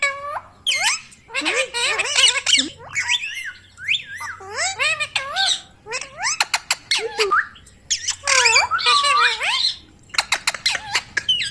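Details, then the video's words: A green Indian ringneck talking parrot chatters in shrill, nasal, speech-like phrases with rising and falling whistles and harsh squawks packed closely together; afterwards people coax it in Hindi to say "Mithu". "Talking Parrot video|Ringneck parrot video"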